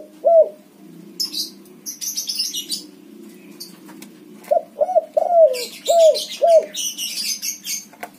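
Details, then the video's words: Spotted dove with white plumage, backspot type, cooing as a lure for doves gone quiet. A single falling coo, then five rapid coos later. Bright twittering from small birds runs through much of the recording. "suara tekukur warna putih BS backspot manggung gacor untuk pancingan burung derkuku macet bunyi"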